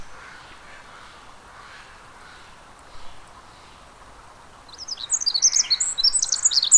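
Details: Pacific wren at the Mamquam Spawning Channels: after about five seconds of steady low background rush, a burst of very high, rapid tinkling notes and trills begins and runs to the end.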